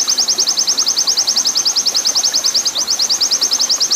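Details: Oriental white-eye in a long 'nembak' master song for training caged birds, mixed with a water-sound backdrop: a fast, high, even string of sharp chirped notes, about eight a second, with a brief stutter near the end over a soft hiss.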